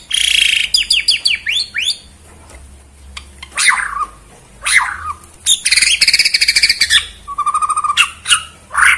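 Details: White-rumped shama of Borneo performing bowing style against a rival: quick falling whistled sweeps, sharp ticks, loud scratchy rattles and a level rolling trill, with brief quiet gaps between phrases.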